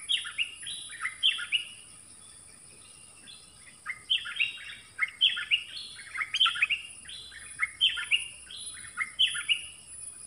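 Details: Dok taeng bird in a song duel with wild birds; bright whistled phrases of quick falling and rising notes, each burst of several notes, given in repeated groups roughly every second, with a steady high hiss behind.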